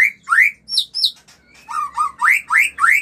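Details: White-rumped shama song for stimulating mating, loud rising whistled notes repeated about three times per second, mixed with high sharp chirps, a short quiet gap mid-way.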